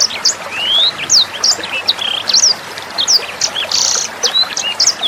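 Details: A sanger bird's 'nembak' song, used as tutor material for shamas, magpie-robins and leafbirds. A lively jumble of sharp high chirps, rising whistles and a short buzzy note plays over gently running water.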